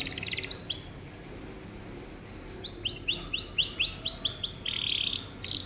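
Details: Canary song played for young birds that rarely sing: a short trill and two whistles, a thin held note, then a quickening series of rising-falling whistles and a brief buzzy burst.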